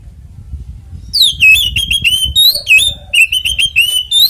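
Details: Oriental magpie-robin fighting song, a lure for other magpie-robins: after a second of low noise, a continuous stream of sharp, rapid whistled notes with sliding pitch runs to the end.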